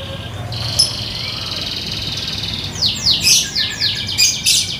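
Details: Yorkshire canary kept as a pet, giving a long thin buzzy trill followed by a burst of loud downslurred chirps, with a faint low hum in the background.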